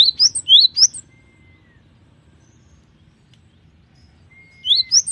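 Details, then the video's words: Gelatik batu, the cinereous tit, in varied gacor song: quick bursts of sharp whistled notes sweeping up and down, heard at the start and again near the end, separated by a long quiet gap. "GELATIK BATU GACOR || the melodious sound of stone sparrows"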